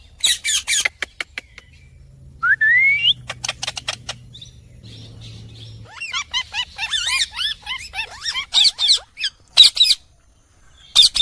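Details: Pet Indian ringneck parrot, a talking bird, chattering in quick series of sharp clicks and chirps, a rising whistle, then fast wavering chirpy phrases and a few loud squawks near the end, with a faint low hum midway.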